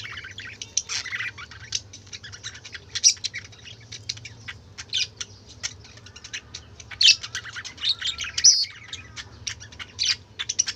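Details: Noisy chatter of a group of pet budgerigars, a continuous stream of short scratchy chirps and warbled notes in uneven bursts, with several sharper squeaks standing out and a faint low hum underneath.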